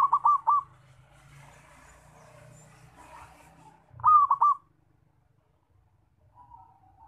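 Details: Zebra dove giving a loud call used as a lure for trapping: a rolling phrase of four quick, pulsed coo notes near one pitch, heard twice about four seconds apart, with a soft low rumble between them.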